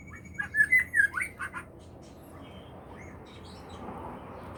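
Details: Magpie-robin singing actively at a plantation in Neipu: a quick burst of clear whistled and chirping notes lasting just over a second, then quiet with faint distant bird notes and low background rumble.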